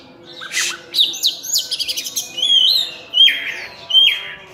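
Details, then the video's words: Actively singing oriental magpie-robin (cincim pala) delivering varied full-isian song: a burst of noisy notes, a quick high stuttered run, then long clear descending whistles repeated about once a second. "Kacer Full Isian"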